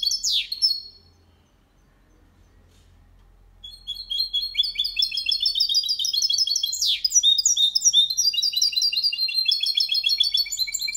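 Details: Malaga-style song from a goldfinch-canary cross meant to teach young birds: a short whistled phrase, a pause of quiet, then a dense run of fast tinkling trills broken by a sharp downward swoop midway.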